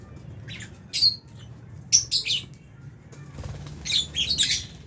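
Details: Albino and Fisher's lovebirds eating in an aviary with budgie parrots; scattered sharp high chirps, then a cluster of shrill squeaky notes and a busy chattering run at the end.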